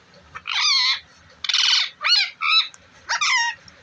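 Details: Ringneck parakeet kept as a talking pet producing a rapid run of five rasping, speech-like syllables over about three seconds, some gliding downward, with a quiet background.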